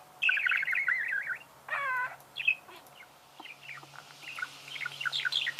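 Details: Budgerigar singing, a rapid zigzag chattering trill, then a throaty squawk and softer scattered chirps and squeaks.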